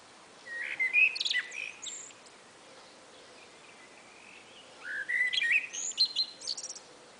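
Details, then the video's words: Two common blackbirds exchanging phrases on a spring afternoon: a low fluted warble rising and falling, then a high squeaky twitter. A second similar phrase follows after a pause of about three seconds. "A Conversation between 2 Blackbirds on a Spring Afternoon"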